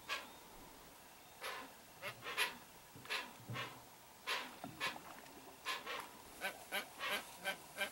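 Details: Hoatzin parents and chick at a wild riverside, recorded from a boat: scattered hoarse, breathy honks, some in quick pairs or triplets, with short pauses between bursts.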